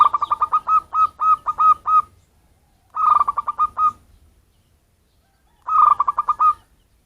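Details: Local wild zebra dove call for luring birds: a long phrase of about ten crisp, evenly spaced coos, followed by two shorter, quicker rolling phrases.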